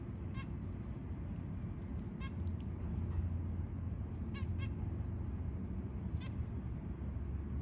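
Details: White zebra finch feeding newborn chicks: short nasal, buzzy calls in scattered ones and twos over about eight seconds, set against a steady low rumbling background noise.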